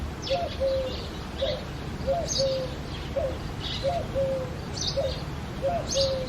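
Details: In early foggy February morning, a Eurasian collared dove sings loud, clear three-note coos, the middle note long and level, repeated every 1.7 seconds or so, with scattered high twitters from other birds behind.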